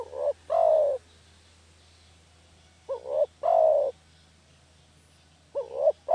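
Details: Spotted dove call used as a lure to catch doves: phrases of two short rising coos and then a longer falling coo, repeated about every two and a half seconds, three times, over a faint low hum.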